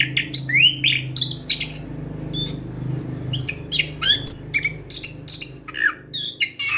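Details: Orange-headed thrush singing a rolling sequence of sharp high chirps and whistles, each note short and clipped, with a constant low hum underneath; the recording is meant to prompt quiet thrushes to sing.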